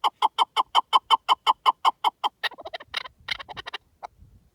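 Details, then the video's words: Partridge calling in the wild, a rapid series of loud clucking notes at steady spacing, about three per second. The series then breaks into fainter, scattered clucks and chatter. "Pure Partridge Calls in the Wild"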